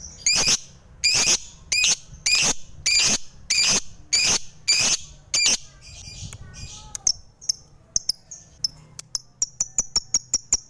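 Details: Lovebird giving a series of loud, harsh squawks about every half-second, then shifting to softer, scattered high chips and clicks.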